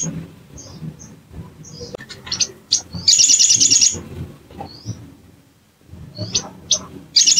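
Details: Bar-winged prinia lure sound meant to rouse a bird into singing: scattered high chirps and clicks, a loud rapid rattling trill lasting about a second, a quiet pause, then more sharp chirps and another trill starting.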